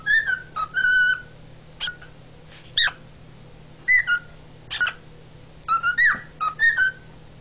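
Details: Indoor pet cockatiel, male, singing in February 2011: a chain of short rising whistles, quick upward chirps and held level tones, phrases spaced about a second apart, steady electrical hum in the background.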